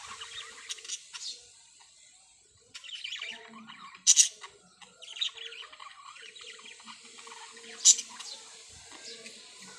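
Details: Parrots calling in a busy mix of thin, high chirps and scratchy squawks, with two loud harsh squawks standing out about four seconds apart amid steady twittering.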